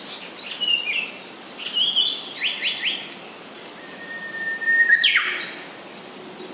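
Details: Japanese paradise flycatcher song: short whistled phrases with sliding, slurred notes in two bursts, one near the start and one after a pause, over a steady high insect hum and faint background noise.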